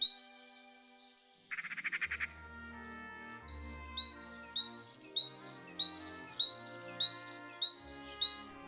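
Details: Great tit singing in winter in central Russia, where it visits feeders: a bright, ringing two-note phrase repeated steadily over soft background music.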